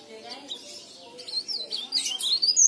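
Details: Leaf warbler singing, played as a lure for other leaf warblers; quiet opening, then from about 1.4 seconds rising, high thin twittering and whistled slurs that grow louder toward the end.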